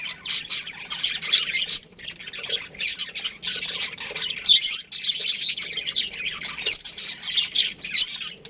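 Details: Budgerigar colony chatter: loud bursts of grating squawks and chirps from several birds, arriving in clumps about every half second with short gaps between.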